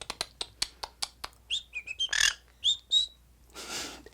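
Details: A pet green-cheeked conure, one of many household birds, gives harsh, raspy squawks and chirps alongside a person's clicks and whistles.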